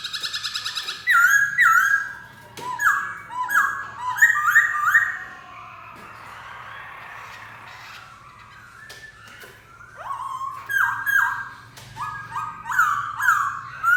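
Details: Black-throated laughingthrush singing: loud, clear whistled phrases of rising and falling notes in quick runs, a pause of several seconds with soft rustling, then another burst of rich, fluty whistles.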